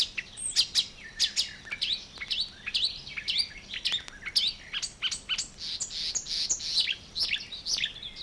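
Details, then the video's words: Marsh Warbler singing in the water-meadows and coastal pastures of Matsalu, a 1979 field recording from the USSR: a fast, varied, chattering stream of high chirps, trills and sharp twitters, densely packed with barely a pause. "Marsh Warler"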